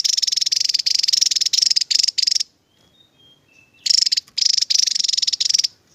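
Javan tesia giving two rapid, high-pitched bursts of buzzy trilled notes, each lasting about two seconds, separated by a pause with a few faint thin whistles.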